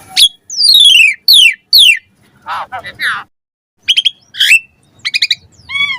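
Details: Asian pied starling master song used to train caged birds to sing with varied phrases: loud, clear whistles with repeated descending slurred sweeps, then a quick rattle of short notes and a rising-falling whistle, with brief silent pauses between bursts.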